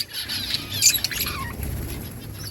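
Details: Outdoor budgerigar colony with a short burst of high chirps and warbles near the middle, softer chatter around it, and a low rumbling background throughout.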